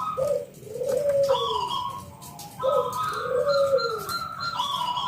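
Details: Local zebra dove, ngalun kung bulat singing as a lure for other doves: two phrases of soft, rounded descending coos about two and a half seconds apart over steady background hiss.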